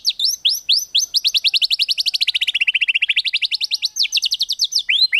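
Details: White-rumped shama in kretekan tembakan style, a song used to provoke a rival: a fast machine-gun rattle of sharp notes, about four per second, sliding down in pitch then rising again.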